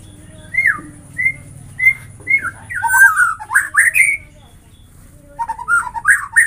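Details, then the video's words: White-rumped shama song of varied whistles. Separate downslurred and upslurred notes repeat about every half second, then a dense run of loud, tumbling, rising phrases. After a short pause, more rapid slurred whistles follow. "Semua jenis murai batu bakal gacor dengan suara ini"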